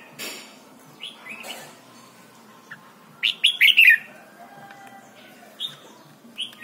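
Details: Red-whiskered bulbul, Thailand, singing as a tutor recording for young birds: a brief rustle and soft whistles, then a loud bubbly five-note phrase midway, followed by quieter scattered whistled notes.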